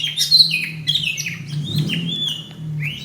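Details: Fighting call of a greater green leafbird, recorded May 2016 for training other songbirds: a quick series of high, clear, downslurred whistled chirps with a constant low hum underneath.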